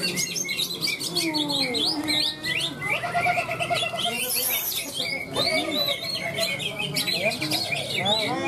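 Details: Greater green leafbird competing at a songbird contest in Malinau, North Kalimantan, giving a fast, varied run of whistles, chatters and mimicked notes, with other competing birds, music and faint voices behind; it won first place.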